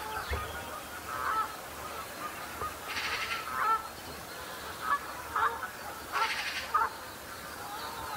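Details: Flock of common shelducks sparring at the start of the breeding season to set the pecking order and impress mates: short nasal honks, thin whistles, and two harsh rasping bursts, over a steady background hiss.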